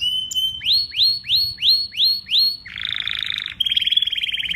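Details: Canary singing: a steady whistled note, then six repeated rising-and-falling swooping phrases, followed by a buzzy rolled trill and a rapid high trill.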